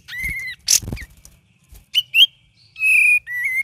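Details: A Cream-vented bulbul gives lively gacor and ngeriwik song. Whistled phrases are split by a harsh rasping burst, then come short upward-flicked notes and a longer level whistle ending in a falling slur.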